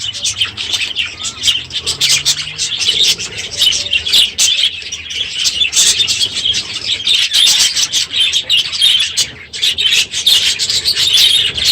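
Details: Budgerigars packed into an aviary at breeding season's end, noisy in the morning: long stretch of constant, overlapping squeaky chatter and quick chirps, intensity surging and easing.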